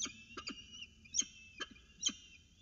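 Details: Peregrine falcon chicks at a nest box in Orange at breakfast time, 29 October 2018, as prey is delivered and the female feeds them; sharp, high rasping calls in short bursts about every half second to second.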